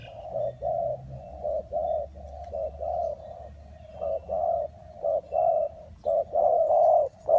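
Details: Spotted dove calling at a trapping spot in Ninh Thuận. A continuous run of low coos in short and long notes builds louder toward the end. There is a faint low hum.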